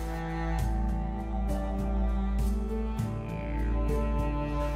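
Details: Low sustained instrumental music with deep bowed and brass-like tones and soft beats, and no animal calls.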